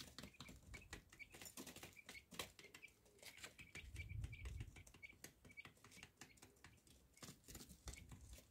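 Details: Common quail chicks: short, high peeps repeated many times in quick succession, over steady scratching, pecking and rustling on a hard floor, with a brief low thump near the middle.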